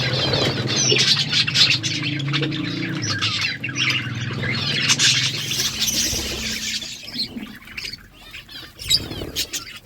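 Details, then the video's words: Budgerigars in the morning, many overlapping voices in continuous high warbling chatter with rapid squawks and chirps, plus a low droning hum underneath for the first seven seconds before the hum fades. "Budgies sounds in the morning"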